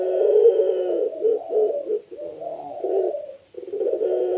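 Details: Barbary dove (puter pelung), a kept cage bird, in lively gacor voice meant to set other doves calling; deep rolling coos with a long first phrase, then broken, wavering segments and a brief pause before another drawn-out coo.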